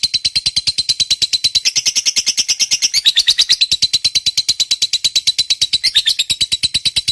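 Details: Lovebird fighter giving a long ngekek chatter, used as a prompt to get silent lovebirds singing: an unbroken, very fast stream of high, harsh, buzzy notes that briefly dips lower near the midpoint and again near the end.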